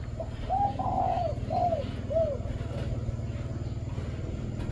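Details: Spotted dove of the five-note cooing line, uttering a short phrase of mellow, rounded coos with a longer central note, then quiet. A steady low rumble and hum persist throughout.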